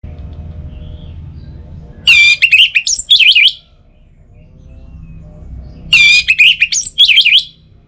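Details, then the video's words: Orange-headed thrush, a kept songbird from Bali, singing to spur other birds to sing in morning and evening: loud rich whistled phrases with rapid varied notes, two bursts about four seconds apart over a low hum. "Pancingan Suara ANIS MERAH Untuk Pagi dan Sore Hari Agar Burung Jadi Tambah Gacor"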